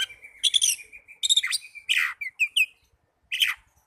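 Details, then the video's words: Oriental magpie-robin song used as therapy for young or quiet birds: a held whistle, harsh buzzy bursts and a few sweet slurred notes, ending after a short silence. "Terapi burung kacer muda dan kacer macet bunyii"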